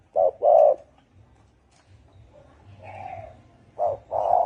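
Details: Spotted dove, thổ ồm and thổ đồng call: a short then long hoarse coo opens, a softer, fainter coo follows in the middle, and another strong two-note coo closes.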